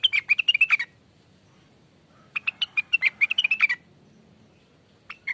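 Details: Greater green leafbird lure song: two lively phrases of quick, high whistled and chirping notes, each lasting about a second and a half, separated by a pause, with one more note starting at the end.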